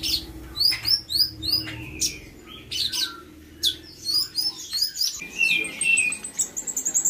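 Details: Spotted-variety cucak cungkok, captive, in training with imitations of Katem, Bren, Rambatan, Parkit and Srindit; a lively, varied song of sharp high whistles, slurred notes and quick chirps in dense bursts, with faint low hum behind.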